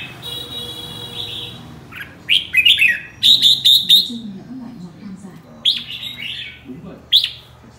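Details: Red-whiskered bulbul in morning song, bright whistled and warbled phrases in short bursts of three to four notes, with pauses between; a steady high tone at the start and faint low background hum.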